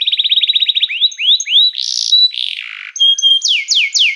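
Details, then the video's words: Canary song used to train canaries and call others to sing: a quick trill, rising slurred notes, a harsh buzzy burst, then looping falling whistles. "som de canário chamando amigos para cantar"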